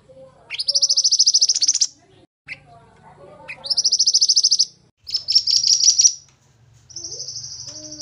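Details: Pied bushchat singing loudly for training: two matching rapid pulsed trills that rise at the start, a brief chip, a choppy stuttered phrase, then a level steady buzzing note.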